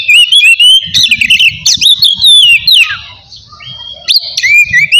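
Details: Ngeplong-style oriental magpie-robin song, aimed at riling rivals and waking lazy singers: rising whistles and busy chirped flourishes, a steep downward slide, a short pause, then fresh high notes, with a low hum underneath.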